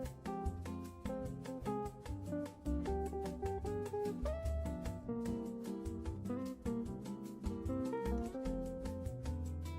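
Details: Plucked guitar music plays throughout with steady strummed chords and a melodic line, and no animal sounds are heard.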